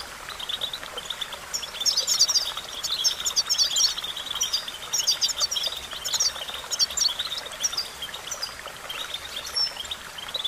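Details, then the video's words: European goldfinch song used to train goldfinches to sing: a steady stream of fast, tinkling twitters and buzzy trills over a constant hiss. "The magic recipe to silence the goldfinch and make it sing"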